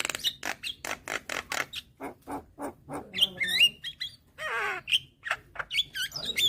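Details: Head-bobbing call of a young white-eyed Javan myna used to lure hybrid mynas: a quick series of dry clicks, then wavering whistles and a grating rattle, ending with sharp chirps.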